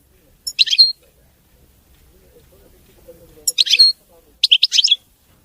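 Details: European goldfinch song, presented as clean and error-free: three short, high twittering bursts, the second about three seconds after the first, over a faint low murmur.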